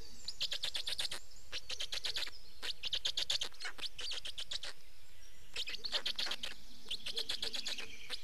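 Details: Nest of Estonian black storks on 19 May 2019, adults swapping places and feeding; rattling trains of harsh, clicking pulses repeated in several bursts with short gaps, over a faint low hum.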